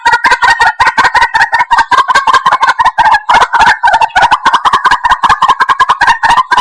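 White-breasted waterhen giving a rapid, relentless run of harsh, gobbling notes, several per second, loud and unbroken with no other sounds.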